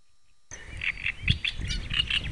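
Great reed warbler giving a burst of harsh, grating, croaky notes in quick repeated phrases, over a steady low rumble of wind.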